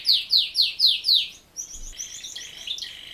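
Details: Male Raza Española canary singing, a breed not bred for song yet with a pleasant song: five loud, rapidly descending high notes in quick succession, followed by softer, more varied trilled phrases.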